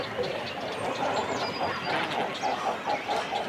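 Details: Close recording of a cormorant colony with chicks and adults on nests: quick, rough, croaking notes in short irregular bursts over a dense background of colony chatter.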